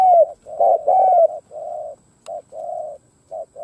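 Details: Spotted dove kept as a decoy, cooing to attract wild doves: quick sequence of hollow coos, loud short and long notes mixed with softer drawn-out ones, and a sharp click midway.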